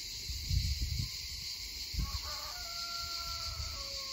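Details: At Gelendzhik in 2020, more than one rooster crows in the distance with a drawn-out, wavering call, under a steady hiss of loud cicadas in the woods.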